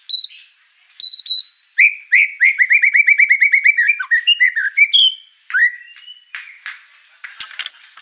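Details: Over-excited white-rumped shama kept in a house with other birds, singing with agitation: a few high whistles, then a rapid run of about fifteen clipped repeated notes, followed by varied slurred whistles and harsher chatter.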